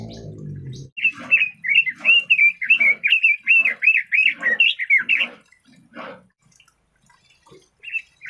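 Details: Red-billed leiothrix delivering a fast warbling phrase of about fifteen short, punchy whistled notes over four seconds, then a few scattered single notes after a pause; a brief low rumble at the start.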